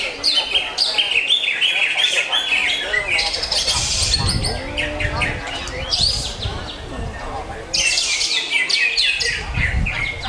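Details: Greater green leafbird delivering long bursts of loud, high, jumbled chirps and warbles separated by brief quieter gaps, with low background rumble and murmur.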